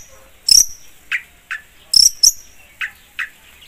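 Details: Long-tailed shrike in a trigger recording: sparse, spaced calls alternating short high whistled notes with lower, downward-slurred chirps, each separated by pauses of under a second, in an otherwise quiet setting.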